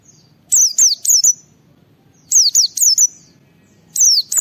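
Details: White-eye singing in the lively 'ngalas' style, used to stimulate other white-eyes to sing: three bursts of two or three very high whistled notes that each slide steeply downward, spaced by short pauses, over a faint low hum.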